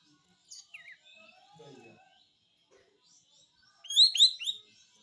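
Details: Kapas tembak, a white-eye, in a lively besetan-style song used for training other cage birds: scattered thin whistles and slurred notes, then a loud burst of sharp, rising and falling chattering phrases near the end.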